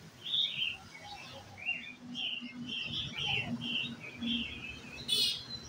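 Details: White-cheeked red-whiskered bulbul taken along to a coffee shop, giving short bright warbled phrases in quick succession, some rising, others falling, over a low steady hum of background noise, with a sharp burst near the end.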